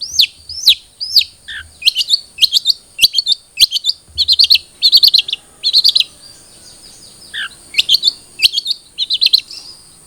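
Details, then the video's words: Long-tailed shrike (cendet trotol) song played to make a captive bird sing: bursts of quick clipped chirps in clusters, brief descending whistle notes, and a constant high-pitched hum. "Pancingan Cendet Trotol Agar Cepat Bunyi"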